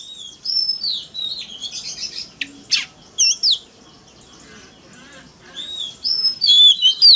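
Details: Oriental magpie-robin fighting song meant to lure rival males, in wild style: scattered whistled slurs and sharp clicking bursts separated by quiet gaps, ending with a loud run of clear rising and falling whistles.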